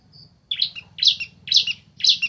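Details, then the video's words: Male and female bar-winged prinias answering each other. After a faint thin whistle, four loud, buzzy, harsh chirps come roughly every half second. "Suara Asli Ciblek Jantan Betina Bersahutan"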